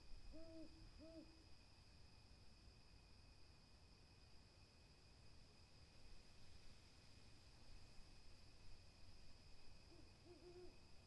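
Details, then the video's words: Two brief, soft owl hoots open the recording, followed by a long stretch of quiet background hum. A further pair of hoots comes near the end, all over a constant high, thin insect-like drone. "calming owl SOUNDS"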